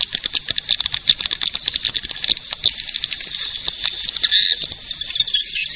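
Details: Edible-nest swiftlet lure sound for attracting swiftlets: a rattle of quick high clicks that merges into a louder, continuous twittering chatter toward the end.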